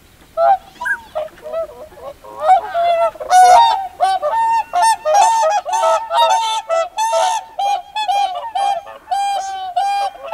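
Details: Whooper swans calling loudly at a lake alongside pintail ducks, the flock growing busy: dense overlapping bugling honks, nasal and trumpet-like, repeated rapidly in quick bursts throughout, several birds calling at once.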